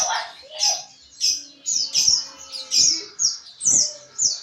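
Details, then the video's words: Pleci, the white-eye, in ngriwik chatter for training other birds: a lower rising note, then crisp high twittered phrases repeated about every third of a second. "Penggacor Pleci NGRIWIK"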